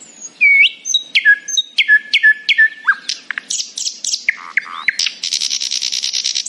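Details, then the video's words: A nightingale sings in the morning, opening with a long thin whistle, then evenly spaced clear piping notes, fast downward slurs, and a closing grating trill. "A happy nightingale singing in the morning."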